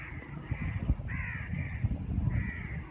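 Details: As winter sets in, birds near neem and moringa trees give four or five drawn-out raspy caws, the middle one loudest, with a continuous low drone behind.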